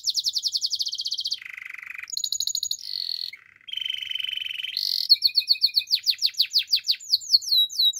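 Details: Canary singing a training song of rapid high trills, alternating with lower buzzy rolls and rattles, then a run of loud sharp descending whistled notes repeated several times a second.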